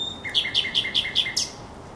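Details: Thrush nightingale singing at the Żerański Canal on 24 April 2022: a quick series of six sharp, ringing double notes, evenly spaced and rising to a brighter final note, over a faint steady background hum.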